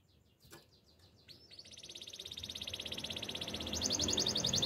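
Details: Canary song building slowly from faint scattered chips into a rising, increasingly loud rapid trill, with noticeable background noise.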